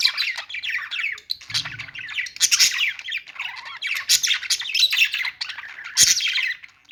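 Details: Budgies chirp and warble in a thick, scratchy chorus of short notes and squawks, with a faint low thud near the start.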